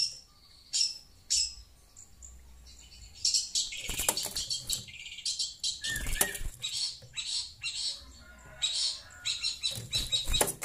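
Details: Long-tailed Shrike chattering at phone sound, irregular scratchy high notes and buzzy phrases interrupted by loud broadband rustles and flutters, possibly wingbeats.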